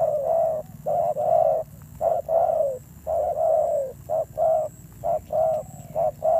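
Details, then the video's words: Spotted dove, a recently caught wild bird, cooing in an aggressive style: paired low mellow notes, a clipped note then a longer sliding coo, repeated rhythmically for several seconds, with a constant faint high tone behind. "Thổ Gù âm dữ"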